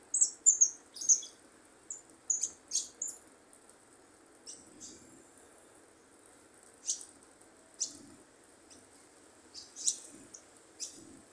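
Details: Fledgling goldfinch practising song, marking good prio: brief high chirps and twittered fragments, denser in the first three seconds, then isolated sharp notes spaced a second or more apart against soft low rumble.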